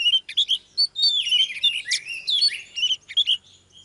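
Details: Female Oriental magpie-robin voicing a fast, continuous warble of whistles, slides and rasping notes to urge a male to sing, fading near the end.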